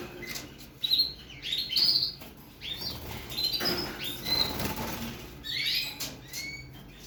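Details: Young Persian canary at 55 days old practising song: brief clusters of sharp, high chirps and short trills separated by pauses, with soft wing flutters and cage rustling.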